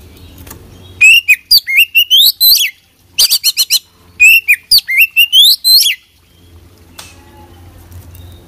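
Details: Oriental magpie-robin in continuous song full of isian: three dense phrases of loud whistled notes, including rising slurs and a rapid stuttered series in the middle, followed by quieter background with low hum.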